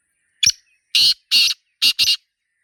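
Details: Black francolin, known locally as Sindhi teetar, recorded in the wild: five loud rasping notes: one clipped starter, a pair of drawn-out grating calls, then two rapid harsh notes close together, over quiet background.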